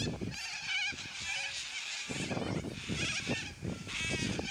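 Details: Loud squawks from a flock of yellow-crested cockatoos: hoarse, buzzing screeches layered together, briefly thinning near the middle before the harsh chorus swells again over low thuds.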